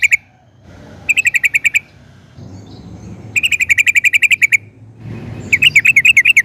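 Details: Yellow-vented bulbul, called trucukan, delivering gacor ropel song in bursts: quick strings of sharp, bright repeated notes separated by short quiet gaps, the last burst more warbled.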